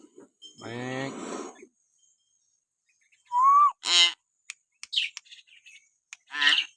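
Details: Common hill myna training calls aimed at provoking captive mynas: a long raspy, croaking note, a pause, then a bright upslurred whistle, a harsh squawk and scattered short clicks and chips.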